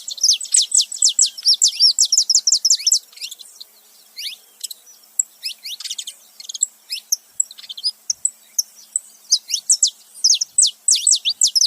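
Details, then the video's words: Saffron finches, male and female together, open with a rapid burst of sharp, high chirps, pause into softer scattered notes, then return to quick repeated chirping. "canário da terra macho e fêmea junto fazendo barulho"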